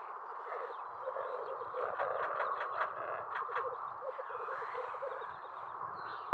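A capercaillie and black grouse hybrid gives hoarse, croaking, frog-like calls in rapid, uneven runs, broken by dry clicking notes.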